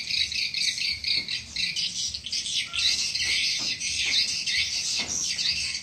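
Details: Swiftlet lure sound meant to draw swiftlets in: shrill, buzzy chirps in surging waves about twice a second, with a faint low tone and soft clicks beneath.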